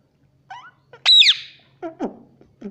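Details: Talking pet rose-ringed parakeet copying "mummy": a soft rising note, then one loud shrill squawk that dips and rises, followed by lower murmured syllables.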